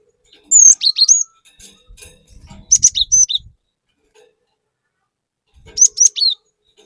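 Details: Cinereous tit in active, varied song, used as a lure for other tits: a whistled slurred phrase, a quick cluster of chirps over faint low rumbling, then a final chirping burst after a pause.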